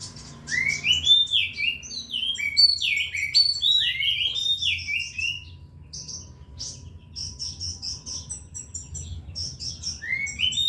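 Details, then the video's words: Oriental magpie-robin, a kept bird being prepared for contest, singing busily: a string of rising whistled slurs and sweeping notes, then a series of short high chips and trills, ending with another rising whistle. "Burung Kacer Gacor"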